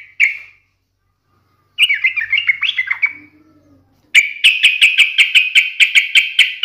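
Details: Yellow-vented bulbul lure song, taunting a rival to provoke an agitated reply: a single sharp note, a bubbly chattering phrase, then a fast run of about a dozen bright repeated notes.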